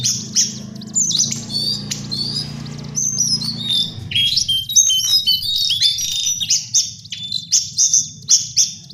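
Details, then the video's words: Lesser shortwing song: rapid, high-pitched twittering warble that runs almost continuously, with sharp slurred notes; a low droning hum fills the first four seconds, then fades. "Master Pancingan Burung cingcoang/jongkangan coklat"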